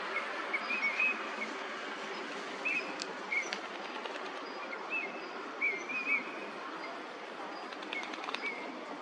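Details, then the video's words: Short, clipped, whistled notes from Eurasian teal, repeated at irregular intervals, sometimes doubled, at a Chiba park pond in Japan during February 2026 where the ducks winter; constant broadband hiss underneath. "コガモ鳴き声 (Anas crecca) - カモの鳴き声 / Eurasian teal sounds"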